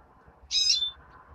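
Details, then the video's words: Single drawn-out, high, slightly harsh chirp from a European greenfinch nestling, lasting about half a second over faint background hum. "Птенец зеленушки"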